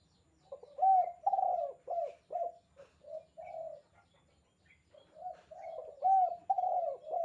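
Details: Spotted dove in the 'kuk 2' calling style, meant for tutoring captive birds: soft, low coos delivered in clustered bursts of three to five notes, a silent gap near the middle, then stronger repeated cooing phrases.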